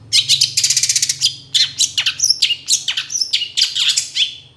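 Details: Long-tailed shrike master recording for training songbirds: a loud, rapid chattering burst of repeated notes, then harsh scratchy phrases mixed with thin whistled slurs, closing with falling squeaky notes.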